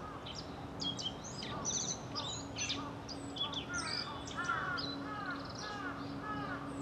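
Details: Male black-faced bunting singing, recorded on a tripod-mounted camcorder: a string of short, bright, high phrases of sweet trills and chips, with other small birds faintly behind and a steady low hum throughout.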